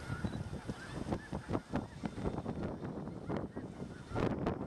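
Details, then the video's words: Massed Snow Geese, some 40,000 to 50,000 birds, stopping at a Montana farm by Freezeout Lake during northward spring migration; a continuous babble of honking calls with rough bursts of louder noise throughout. "Freezeout Lake Snow Geese"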